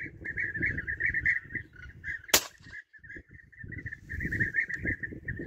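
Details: European bee-eaters calling continuously during hunting: a dense stream of purring, rolling trilled calls from several birds, broken by a sharp gunshot crack midway, over low rumbling handling noise.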